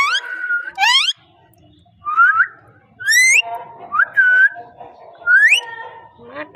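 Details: Talking parrot voicing loud, rising slurred whistles, each with ringing overtones, in bursts roughly every second, with short pauses between. Softer murmuring notes fill some gaps, and the background is otherwise quiet.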